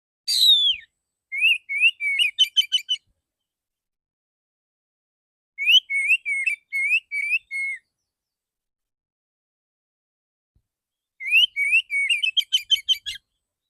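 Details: A male oriental magpie-robin repeats bursts of rapid song in the 'dor dor tembakan' shot style: fast runs of short, sharp, downslurred notes, several per second, in three bouts separated by long silent pauses; clean and clear.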